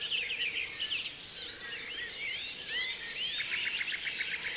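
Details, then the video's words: Many birds singing together in a forest: dense, overlapping high chirps, trills and whistled slurs with no pauses, a softer low hum running beneath. "BIRD SOUNDS in the forest"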